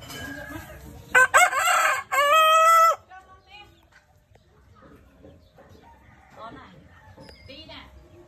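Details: Chicken crowing in the morning: one loud, harsh, strongly harmonic crow of about two seconds, broken into a short opening note and a long drawn-out final note, followed by quieter scattered clucks and soft background sounds.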